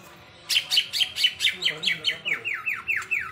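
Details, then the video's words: Greater green leafbird in hyper-active song (gacor): a rapid run of bright, clipped notes, about four per second, that shifts into downward-sweeping whistled slurs toward the end. "cucak ijo gacor hiper"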